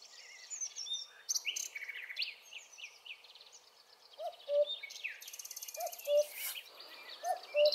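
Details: Common cuckoo, a migrant about to leave for Africa, repeating its clear two-note call, a higher note falling to a lower one, three times in the second half, with other songbirds twittering busily throughout.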